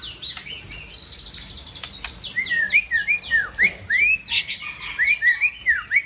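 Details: White-rumped shama, seven years old, originally from Tangse in Aceh: scratchy opening notes give way to a series of clear rising and falling whistles repeated roughly twice a second.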